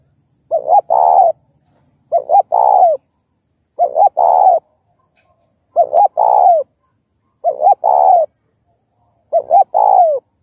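A spotted dove coos in low, hollow phrases: a short double note then a longer drawn coo, repeated about every two seconds.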